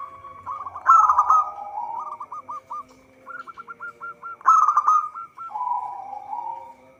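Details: Zebra dove, local type, singing for use as a trapping lure: loud stuttered bursts alternate with rows of crisp, evenly spaced hooked coos and a softer rolling trill, two full phrases about 3.5 seconds apart; faint background hum.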